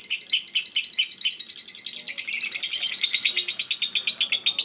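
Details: Lovebird of Eagle Head type, a singing-contest champion, starts with spaced shrill chirps, then breaks into a quicker continuous ngekek chatter of rapid high notes.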